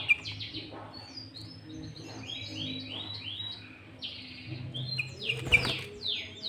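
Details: Lure recording of a sooty-headed bulbul singing hard with green leafbird fill, meant to draw and challenge other bulbuls; high clear whistled notes and short downslurred chirps in quick varied phrases.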